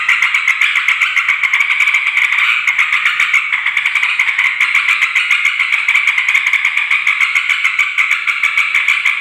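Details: Yellow-vented bulbul, wild-calling lure for females and males, noisy chattering: dense continuous buzzy rattling chatter of several birds, steady and unbroken throughout.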